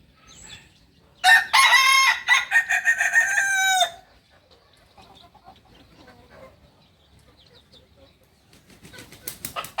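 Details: Kukuak balenggek rooster, a singing chicken breed from Solok, West Sumatra, gives one long stepped crow of about two and a half seconds, broken into many rapid pulsed segments that step down in pitch, with quiet background before and after.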